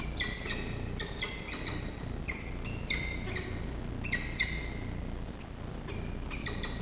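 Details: Peregrine falcon chick being fed at the nest on the Charles Sturt University campus in Orange, Australia, 2 October 2023; an adult pair breeds here. Bursts of short harsh harmonic squeals, repeated in quick irregular clusters, over a steady low background rumble.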